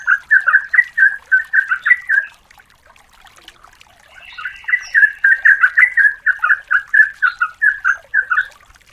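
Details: Calls of a female yellow-vented bulbul to the male, used for luring. A rapid chattering bout is followed by a pause of about two seconds, then a second long run of warbled notes.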